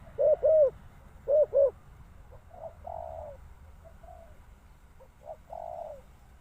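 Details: Spotted dove cooing: two pairs of short, arched, low coos, then softer, longer drawn-out coos after a pause, over a faint low rumble.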